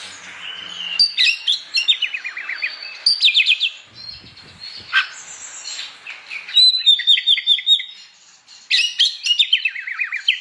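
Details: Morning song of an Oriental magpie-robin, delivered in loud ngeplong style to provoke rival magpie-robins to sing: repeated fast descending strings of sharp notes broken by varied scratchy phrases and short pauses.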